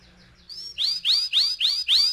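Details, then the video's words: Canary in rolling 'ngeroll' style, used as a lure to prompt singing: a few soft high notes lead into five loud, evenly spaced notes that rise then fall sharply. "PANCINGAN TERCEPAT dan SUKSES BIKIN KENARI GACOR NGEROLL"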